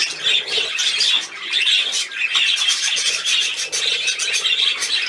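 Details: Budgerigars at play, recorded 13 December 2019: a continuous stream of bright, high chirps and squeaky warbles overlapping one another, with short buzzy notes and rapid twittering throughout and no clear pauses.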